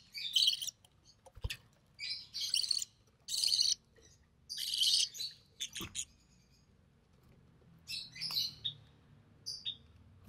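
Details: Recessive pied budgie chick born early June 2020 during a feeding by its mother; rough raspy bursts of varying length, some broken into quick chatter, with a few sharp clicks and knocks and quieter calls later.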